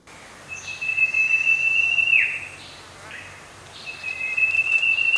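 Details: Common Iora, a common garden bird in Thailand, giving two different sounds: a long, steady, high whistle held over a second, ending in a brief downward dip, then a second drawn-out whistle; faint background hum.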